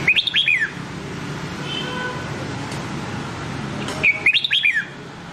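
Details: Red-whiskered bulbul, Nam Đông-style training song for white-cheeked birds: two sweet, fast-warbled whistled phrases about four seconds apart, each several rising-and-falling notes, with a low steady hum between.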